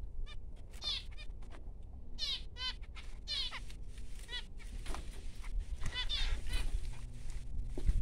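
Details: Freshly hatched finch chicks making thin, rasping, high chirps in short bursts with brief pauses, against a quiet low background rumble.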